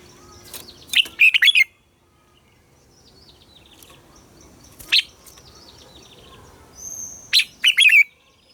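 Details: Red-whiskered bulbul morning song, double-note 'già rừng' style for training caged bulbuls. Phrases of quick bright whistles open and close the stretch, with a lone sharp note between and faint high chirping in the background.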